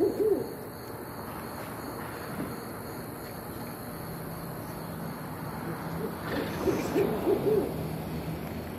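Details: Barred owls hooting: a few low hoots near the start, then a rhythmic run of about four hoots around seven seconds, over steady background hiss and faint hum.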